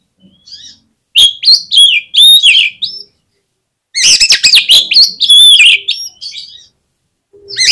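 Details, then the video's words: Oriental magpie-robin song played as a lure to rouse other magpie-robins into singing: two dense bursts of loud, varied whistles and sharp chirps, with high clear notes sliding and swooping, separated by a brief pause. "PANCINGAN KACER INI BIKIN GACOR MAKSIMAL || KACER LAIN PUN PASTI BAKALAN KONSLET"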